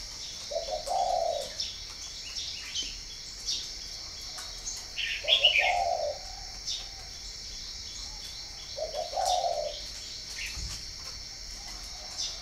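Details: Repeated coo phrases of a spotted dove kept at a breeding farm in Ba Vì, northern Vietnam: short stuttered notes sliding into a longer husky coo, about every four seconds, with bright chirps and insect hum around.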